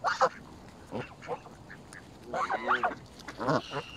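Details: Mallards feeding in a frenzy alongside Canada geese at Smith's Pool, Fenton, Stoke on Trent, United Kingdom, on 21 November 2021, recorded on a mobile phone; short harsh nasal quacks in scattered bursts, with a louder run of rasping calls near the end.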